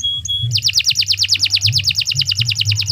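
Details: Canary in gacor song for training other birds: two short steady whistles, then a fast regular rolling trill of sharp repeated notes, roughly eight per second, with a soft low rumble beneath.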